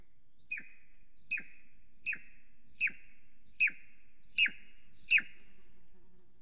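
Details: A female golden eagle at an Estonian nest camera, arriving, preening and flying around the nest at 9:53 am on 13 July 2020, gives seven thin, high, sharply down-sliding yelps about every three-quarters of a second over a faint low hum.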